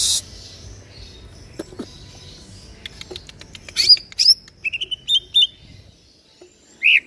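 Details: East Java green leafbird in a cage, noted for singing day and night, gives sharp clicks then a run of short whistled chirps and flat held notes, closing with a rising whistle.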